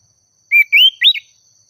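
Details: Oriental magpie-robin, called sirtu or cipoh, singing excitedly to draw a rival: three short loud whistled phrases, the second rising, the last a sharp upward sweep.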